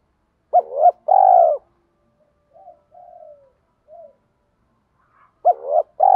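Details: Lure spotted dove cooing in the 'thổ pha đồng' manner to stimulate newly caught doves. A hooked coo and a long purr are followed by soft, short murmured notes, then the phrase starts again.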